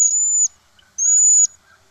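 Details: Cedar Waxwing's very quiet song: two very high, thin, whining whistles, each about half a second long and about a second apart, with nothing else heard.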